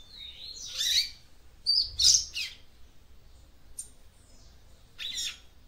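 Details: A female copper seedeater sings to excite her male, giving short, high chirping phrases, a few bright twittering bursts over about five seconds with pauses between them.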